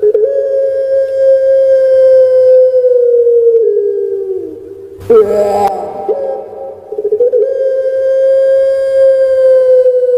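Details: Melodious coo of a caged puter pelung dove from Java, Indonesia: a long steady hum that sags slightly in pitch, a short gurgling break, then a second prolonged level drone.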